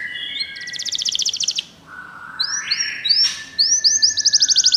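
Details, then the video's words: Canary song used to stimulate a pet canary: a quick high trill over a lower steady tone, a soft rising buzz, then a run of looping upslurred whistles becoming a rapid trill. "seu canário vai cantar muito, ouça imediatamente essa música"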